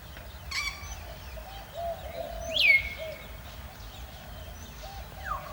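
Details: African grey parrot recorded on 31 December 2017, giving one loud whistle that swoops sharply down and then levels off into a held tone, with a few softer chirps before it and a short falling note near the end over low background hum.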